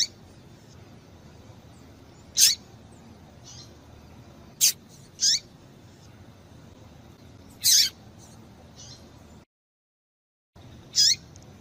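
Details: Female papa-capim (yellow-bellied seedeater) calling to stimulate males into singing: isolated thin, high, piercing chips with a quick downward tail, spaced irregularly over about eleven seconds, one brief silent gap, quiet surroundings.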